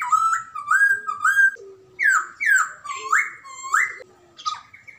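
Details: Chinese hwamei, white-cheeked and grey-cheeked birds compared, both singing vigorously; loud rich whistled phrases, rising and falling slurs repeated about every half second, with a low underlying tone.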